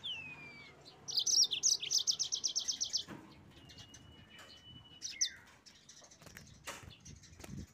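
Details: Yellow-fronted canary singing to provoke rival birds: a quick, bright trill of evenly repeated high chirps lasting about two seconds, followed by scattered thin whistles, a long slurred note and sharp clicks.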